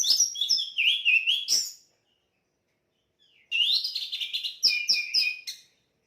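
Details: Loud orange-headed thrush song with rich, rapid whistled notes and sharp chirps sliding up and down, two dense phrases of about two seconds with a short silence between, no other sounds.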